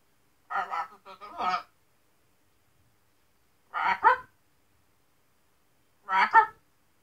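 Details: Pet macaw talking after his shower: three short bursts of raspy, speech-like chatter, the first a quick run of syllables, then two single hoarse words a couple of seconds apart, in a quiet room.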